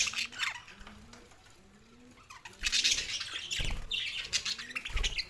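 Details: Pet male budgerigars, two birds, giving scattered chirps while a low rising coo repeats about every half second, then breaking into louder rapid squeaky chatter in the second half.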